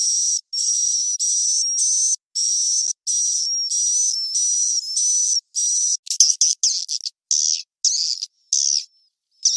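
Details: Swiftlet roosting call played to lure birds, from a cave recording: high, buzzy chirps in even bursts about twice a second, each carrying a thin steady whistle, turning rougher and more broken in the last few seconds.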